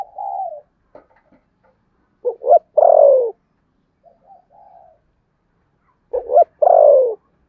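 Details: Spotted dove contest cooing in the Sấm Thổ voice style: short double notes followed by a loud, long falling coo, phrase repeated twice, with softer coos between, quiet background.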